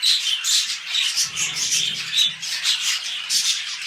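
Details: Mating pet budgerigars preparing to breed produce a continuous grating warble of short squawks and chirps, rising and falling in quick pulses.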